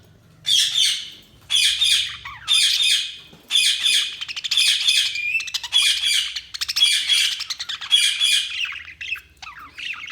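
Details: Budgies giving loud bursts of harsh, buzzy chattering chirps, each burst lasting under a second and repeated roughly once a second, with rapid scratchy warbles in the middle.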